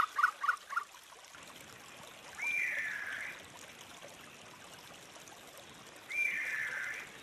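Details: Three short, sharp notes from a Sri Lanka frogmouth, followed by two longer grating, rasping calls about three and a half seconds apart, with a rising wash of background noise.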